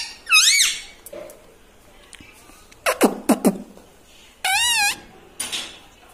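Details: Talking pet parrot indoors, said to say 'Mitthu', 'Papa' and 'Mummy'; two loud, wavering, nasal syllables open and close the passage, with soft clicks, taps and low murmurs between.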